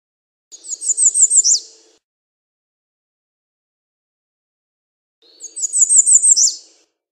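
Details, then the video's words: Two songs from an American redstart, each a string of about six high, sibilant repeated notes that ends in a sharp downward-slurred accent, with a long pause between them. "American Redstart Song! Call! Sound! Singing! - Candelita Norteña Canto"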